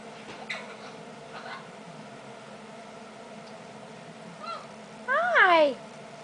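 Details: A young female Eclectus parrot, asked to do her squeaky-toy noise, gives a short nasal chirp, then a loud, squawky, word-like utterance sliding downward in pitch, with faint indoor sounds before.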